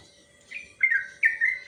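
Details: Sooty-headed bulbul giving part of a long training song: a few short, slurred whistled notes that dip and rise, following a near-silent start, over a faint steady hum.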